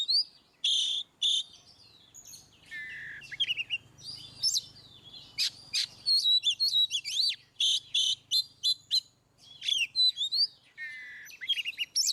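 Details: Oriental magpie-robin in ngeplong song, meant to prompt birds that rarely sing: a long, rich run of loud clicks, rapid chirps and swooping whistles with hardly a pause, plus a faint low hum at times.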